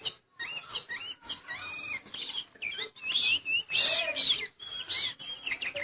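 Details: Oriental magpie-robin singing through its moult: a varied stream of short whistles, squeaky slurs and harsh, hissing bursts. Phrases are broken by short pauses and the tone changes often.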